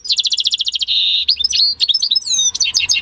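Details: Home-bred European goldfinch × canary hybrid singing in May 2015: a fast series of bright repeated notes flowing into a smooth trill, then varied twittering, sliding whistles and sharp chirps.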